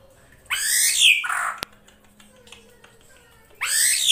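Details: Female drongo call meant to draw in a male, used as an Indonesian lure recording: one harsh, descending squawk, then a faint click and quiet, then another rasping note starting at the end.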